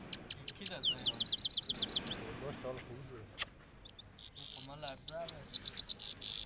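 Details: High, fast goldfinch twitter from Parachinar, where birds from Kabul and local goldfinches are compared. A string of rapid descending chips opens, then a short pause and a click, then bright buzzy trills and tinkling repeated notes. Soft voices murmur underneath.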